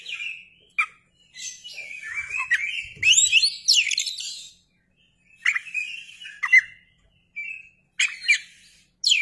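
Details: Oriental magpie-robin, a kept songbird, in full lively song while spreading its tail: fast jumbles of slurred whistles and rasping notes, then shorter separate whistled phrases and sharp upswept chips after a pause.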